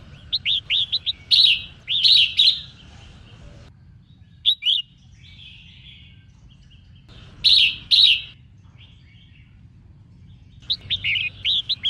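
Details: Female red-whiskered bulbul singing to stir up males: bursts of short, bright, chirpy notes in quick clusters, with a longer phrase near the start, a lone pair of notes midway and further clusters later; faint low background hum.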